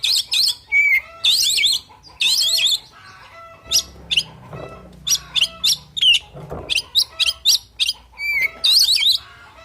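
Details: Fighting song of an oriental magpie-robin: intense, scratchy, looping phrases alternating with clean sliding whistles and shorter chips, delivered in rapid bursts over faint background rustling.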